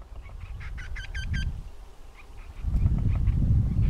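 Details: In the spring mating season, with a female assessing the male's efforts, a Eurasian wryneck gives a quick run of five nasal, ringing 'kwee' notes, followed by fainter repeats, over a heavy low rumble of wind or traffic.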